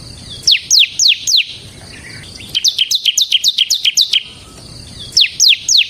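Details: Bar-winged prinia song used to lure and train ciblek birds: a few downslurred high whistles, then a quick string of sharp chirps, and more falling notes to close.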